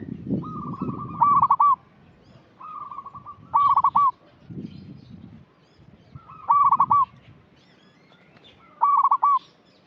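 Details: Lively local zebra dove, a lure voice for young birds still in training: repeated coo phrases, each a level lead-in then a bright rolling, stuttering trill, roughly every two to three seconds, with low rumbling noise.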